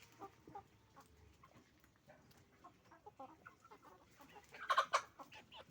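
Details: Chicken farm flock of roosters and hens; soft, scattered clucking through most of the stretch, then a pair of loud, harsh, raspy squawks near the fifth second standing out clearly above the rest.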